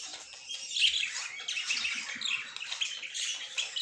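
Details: Pet budgerigars indoors chattering together, a dense mix of squawks, chirps and scratchy warbles stacked over one another, with a few louder sharp notes standing out, steady throughout.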